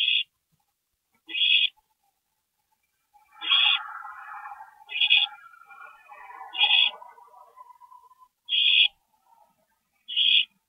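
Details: Owl at a nest at 2:40 AM, 22 April 2012, while a parent briefly visits; sharp hissing rasps at intervals, with a jumble of softer chittering and whining notes in the middle.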